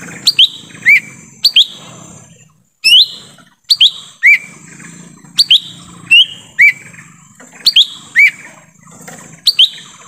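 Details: Lesser green leafbird recorded in forest, a lure sound for attracting wild birds: sharp rising whistled notes, often doubled, about nine bursts in ten seconds with short buzzy fragments between, over a steady thin high hiss.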